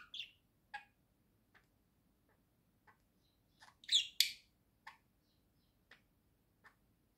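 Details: Pet budgerigar at home giving scattered short chirps and clicks, mostly soft and spaced out, with a brief louder pair of sharp squeaky notes midway.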